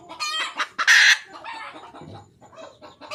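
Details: Red junglefowl hen calling for a mate, giving quick soft clucks, then one loud, strained, nasal squawk, then fading low clucking and faint rustling.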